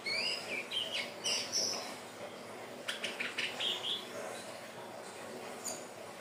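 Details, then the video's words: Birdsong played to lure birds: a Hill blue flycatcher gives a run of high, bright whistled notes that rise and fall at the start, then a shorter warbled phrase, with scattered clicks and rustles and a background hiss. "SUARA BURUNG TLEDEKAN BIRU/SIKATAN NINON/SELENDANG BIRU"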